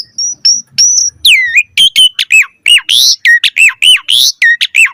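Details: Asian pied starling song for training captive starlings: a few thin high whistles open, followed by a fast, repeated series of looping downslurred whistles, nearly two per second, with grating overtones.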